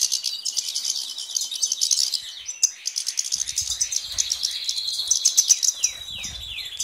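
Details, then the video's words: European goldfinch singing a rapid, liquid twittering of high notes mixed with buzzy trills and quick downslurred chirps, continuous throughout, with faint low rumbles in places. "Stieglitz chardonneret"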